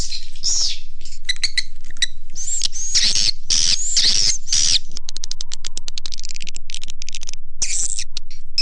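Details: Swiftlet lure sound for attracting birds to swiftlet farms: shrill twittering chirps with abrupt cuts between phrases, then quick clicking ticks near the end.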